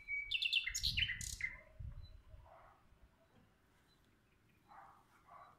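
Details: Nightingale in a singing contest with a nearby rival: a loud opening of sharp, ringing, slurred notes at varying pitches, followed by quieter low phrases and pauses.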